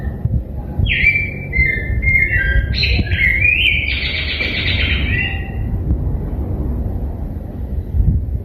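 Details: Rose-breasted grosbeak, called degollado, delivering one continuous warbled phrase of quick rising and falling whistled notes lasting about four seconds, followed by only low rumbling background noise.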